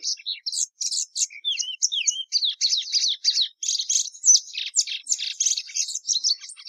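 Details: Plumbeous seedeater (Sporophila plumbea) in continuous song: a long, lively stream of high chirps, swooping whistled slurs and dense buzzy trills, delivered almost without pause over about seven seconds.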